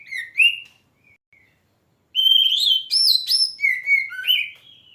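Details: Kacer, the oriental magpie-robin, singing vigorously (gacor): a short rising whistle and two soft notes, a pause, then a long loud run of varied whistled phrases with sharp upward jumps.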